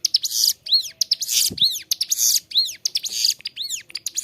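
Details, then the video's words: Ciblek gunung, the Bar-winged prinia, in constant clear song used for tutoring caged birds: rapid rising-falling whistles mixed with rasping broadband bursts, with a short low thud midway. "Ciblek gunung gacor suara jernih, cocok buat masteran"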